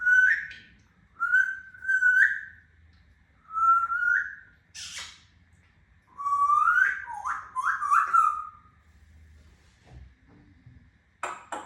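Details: Grey parrot giving a series of clear whistled notes indoors, several rising and slurred upward, spaced across the stretch with brief pauses, plus a short harsh burst near the middle.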